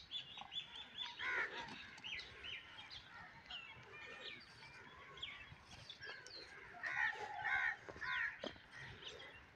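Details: Calling cranes (koonj), kept as decoys for crane hunting, give a dense chorus of overlapping rolling, honking calls in uneven bursts, with a faint background rustle.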